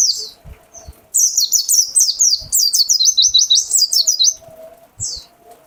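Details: High-pitched "wit wit wit" song of a mountain white-eye (pleci dakun): after a few scattered chirps, a fast unbroken run of about thirteen sharp, downslurred whistled notes lasting three seconds, then isolated chirps, with low knocks beneath.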